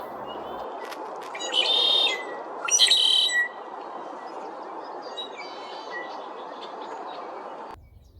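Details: Red-winged Blackbirds in the trees around a marsh at Sweetwater Wetlands, Tucson, Arizona, in April 2023, in a continuous chorus, with two loud buzzy, trilling bursts standing out over a steady wash of chattering calls and broad background noise.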